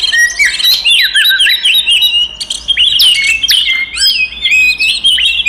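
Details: Oriental magpie-robin, kacer, singing a fighting song used to provoke other magpie-robins into anger: loud, varied whistled phrases with sweeping slurs and rapid chattering notes, densely packed with almost no pauses.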